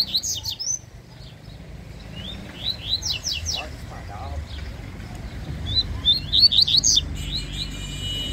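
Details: Competing Yellow-bellied seedeater (coleiro-baiano), a fast, spirited singer, giving rapid strings of high, slurred whistles, an early burst, a middle series, then a louder run near the end, with faint low background noise.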